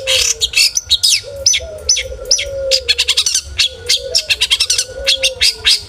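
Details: Long-tailed shrike kept as a cage bird, singing a full, varied song used to provoke other shrikes to sing. The song is a rapid, dense run of high, sharp chirps and trills, with a lower, slurred whistling tone running beneath it.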